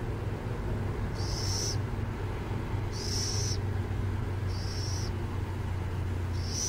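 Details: Near San Jose, burrowing owls produce four harsh, breathy hisses, evenly spaced about every one and a half seconds, with a constant low traffic drone underneath.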